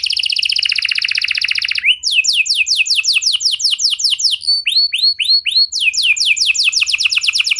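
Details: Canary song played to prompt other canaries to sing: a fast buzzy trill of rapid repeated notes, then a series of quick descending whistled sweeps and short chirps, all high-pitched and loud.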